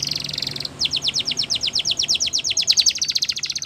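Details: A canary sings a brief buzzy trill, pauses, then pours out a long run of high downslurred notes repeated about three times a second over faint background noise.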